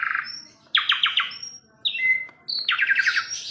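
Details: Asian pied starling song: a buzzy note, then rapid repeated chattering bursts, thin high whistles, a falling slur and another chattering run.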